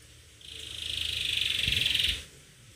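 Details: Canary in attacking, energetic singing: a loud, sustained rapid trill of high, buzzy notes lasting nearly two seconds, swelling in strength then stopping abruptly, with faint low thumps beneath.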